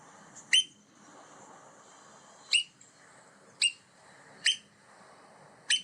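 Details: On a beach with nesting shorebirds, an adult American Oystercatcher, a loud, vocal species often heard before seen, gives five sharp, piercing wheep notes one to two seconds apart over a faint steady hiss.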